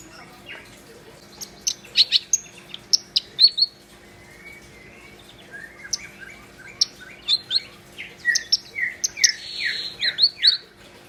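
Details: Vigorous song of a black-browed reed warbler: sharp high chips and buzzy notes, a brief soft whistle, then a run of falling, slurred chirps leading into a harsh rasp.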